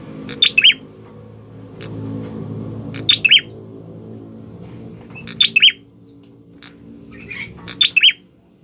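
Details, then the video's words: Orange-headed thrush singing energetically: quick high three-note chirp bursts recurring every two to three seconds with lone short notes between, over a broad low rumbling background noise. "Ciblek kepala merah gacor"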